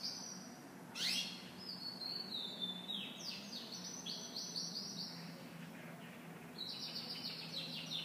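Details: Caged female canary flying to her mate: thin high chirps and quick downward-sweeping tweets, one sharp loud note early, then softer clustered chirps, over a steady low electrical hum.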